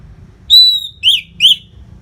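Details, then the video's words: Orange-headed thrush in masteran training song for fighter birds: a long, steady high whistle followed by two short, bright falling notes. "SUARA MASTERAN ANIS MERAH GACOR RAPET NO JEDA INI UNTUK MELATIH FIGTHER BURUNG AGAR SELALU FIT"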